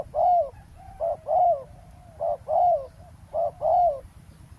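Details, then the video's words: Roadside ground-trapping session with a spotted dove decoy calling to wild doves: soft hollow coos alternating brief and longer sliding notes, about one a second, over a quiet low background hum. "เสียงนกเขาใหญ่ ต่อ นกเขาใหญ่"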